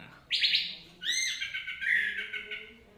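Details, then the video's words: Orange-headed thrush, teler song style: one bright whistled note, a short gap, then a richer slurred phrase that wavers and fades, over steady background noise. "burung Anis Merah Suka teler"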